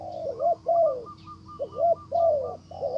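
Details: Spotted dove decoy bird calling to lure a wild dove back, which ignores it; low hollow coos in short rising-then-falling phrases, about three phrases in three seconds, with a steady faint hum underneath.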